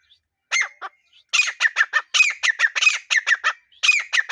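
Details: Desi partridge calling loudly: a burst of harsh, rapid, repeated squawking notes with a rising emphasized note, delivered in quick clusters after a brief pause, over a quiet background.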